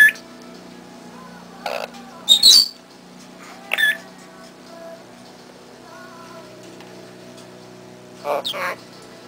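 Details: A pet red-lored amazon (Amazona autumnalis), happy, gives four short, harsh, rasping cheerful squawks spaced a few seconds apart, over a low household hum.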